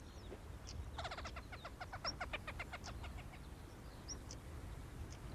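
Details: A male Hen Harrier in Britain gives alarm calls near the nest while the female stays on hatching eggs and a buzzard passes overhead: about a dozen sharp notes run together over two seconds, against a low rumble of wind.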